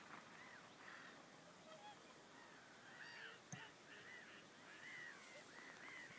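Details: Black-tailed godwits at Degernäsbäcken, Umeå, Sweden, on 23 April 2013 give overlapping nasal, arched calls that rise and fall, several birds calling together over a steady background rush.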